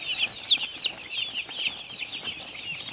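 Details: High, piercing peeps from many baby chickens on a farm, several standing out as brighter squeaky chirps above a constant twittering background.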